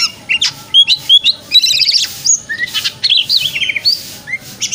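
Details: Ngeplong-style white-rumped shama song for getting a shama to spread its tail in the morning: rapid sequence of clear whistles, downslurred notes and harsh buzzy chatter, loud and varied.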